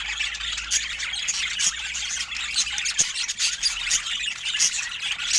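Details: Pet budgerigars chattering nonstop, a busy mix of high twittering warbles and scratchy squeaks with bright, sharp ticks scattered throughout, steady loudness from start to finish.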